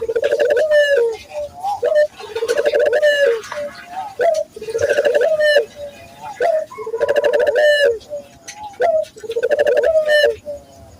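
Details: Lure recording of a Barbary dove for training local doves: steady cooing, about five rolling phrases each rising then dropping, roughly every two seconds, with short sharp notes between them.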